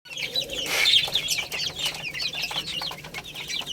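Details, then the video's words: Baby chicks playing and eating, a busy chorus of high, thin peeping chirps from many birds overlapping, with soft rustling and tapping throughout. "Cute Little Chicks Chirping Sounds| Baby Chicken Playing and Eating"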